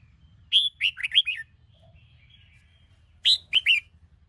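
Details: Red-whiskered bulbul, Sông Kôn type, caged and training its morning song: a short phrase of four bright, sliding whistled notes, a quiet pause, then three more quick loud notes.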